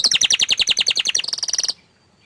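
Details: Shy canary giving a quick run of bright repeated chirps that speeds into a high buzzing trill, then falls silent.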